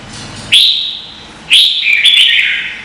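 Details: Red-whiskered bulbul contest song, Vietnam: two loud sharp-onset whistled phrases a second apart, the second running into a longer warbled, slightly falling flourish.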